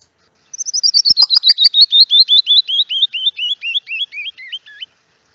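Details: Canyon Wren, found locally around Santa Barbara in the foothills: a cascade of about twenty-five sweet, clear whistled notes tumbling steadily down the scale over four seconds, quick at first, then slowing near the end.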